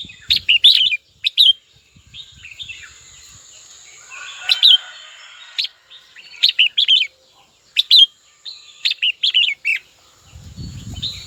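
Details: Red-whiskered bulbul in captivity singing to challenge a rival: lively series of slurred whistled phrases, each a fast cluster of notes, with brief low thumps at start and end.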